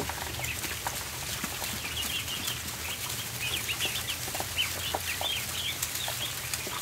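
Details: Ducklings in a barn during feeding, peeping in high, thin overlapping notes that grow busier in the second half, with sharp clicks and scratching sounds.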